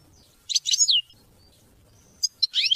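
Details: European goldfinch song, offered to teach and motivate hunting and mating: two short bursts of high, tinkling twitters with a slurred descending whistle, separated by over a second of quiet.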